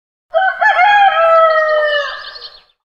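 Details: Rooster crowing: a single loud, harmonic-rich cock-a-doodle-doo lasting about two seconds, opening with a short broken rise and then holding a long, slightly falling hoarse note that fades away.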